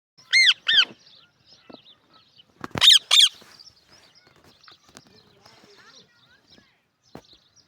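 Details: Pet parrot from Pakistan, a talking bird, giving two harsh harmonic squawks, then after a pause two louder, rasping bursts, with faint clicks and background sounds afterwards.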